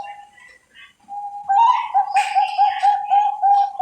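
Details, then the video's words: Bangkok-type zebra dove from Javanese breeding farms: brief soft chatter, then a run of round, evenly spaced cooing notes, roughly four per second, at a steady low pitch. "SUARA PERKUTUT BANGKOK DARI BERBAGAI PETERNAK"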